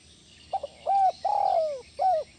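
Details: Spotted dove coo sequence, played to calm stressed caged doves: two quick low hoots, a short rounded coo, then a long pulsing coo that slides downward, closing with one more short coo. Faint steady background hiss.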